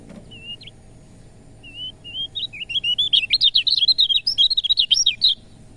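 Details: Lemon-bellied white-eye song played to stimulate reluctant birds to sing: a few thin isolated whistles, then an accelerating run of rapid, high, sharply twittering chirps that grows louder and denser toward the end.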